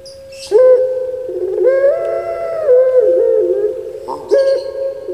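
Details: Kept puter pelung turtle dove from Java, Indonesia, giving a long, drawn-out tonal coo that holds steady, dips, then rises again, followed by a short fresh note near the end.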